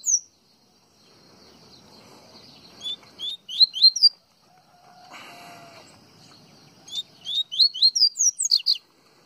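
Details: Baiano-style song of a double-collared seedeater from Pernambuco, Brazil: two bursts of rapid, high, slurred whistled notes separated by about three seconds of near silence, with a brief lower buzzy sound between them.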